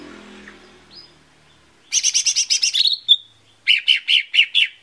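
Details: Lesser green leafbird lure song meant to set birds singing: after soft faint sounds, a loud rapid buzzy trill ending in a clear whistle, then five loud, sharp repeated notes.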